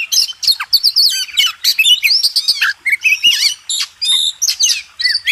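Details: Contest-training master song from a White-rumped shama, or kacer: a dense stream of bright, twisting whistles and scratchy chatter in quick bursts, barely any gaps.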